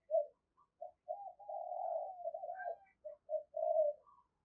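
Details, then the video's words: Decoy spotted dove cooing: low, hoarse coos with one long drawn-out roll in the middle, broken into short notes at the start and end. "Chim Cu Gáy Mồi Cực Sung Dùng Kích Bổi Mới"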